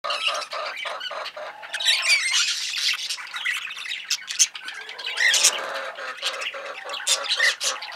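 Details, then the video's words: Female budgerigar, a pet parakeet hen, giving dense scratchy chatter with harsh squawks and short high chirps, continuous over eight seconds with louder bursts near the middle and end. "Budgie/Parakeet Hen"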